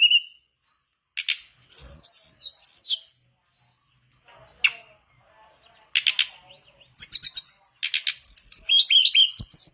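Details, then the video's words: Mangrove blue flycatcher song used as a lure for other birds, broken by pauses: scattered chirps and a falling whistled phrase, then short bursts and a quick warbled sequence of bright high notes near the end. "Pancingan burung tledekan bakau gacor biar sikatan bakau macet ikutan gacor"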